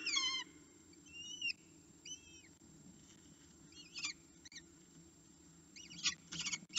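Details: Falcon calling for food at its nest: faint, thin, bent whining calls, several short and curved, spaced over several seconds above a steady low hum, with a few dry clicks toward the close.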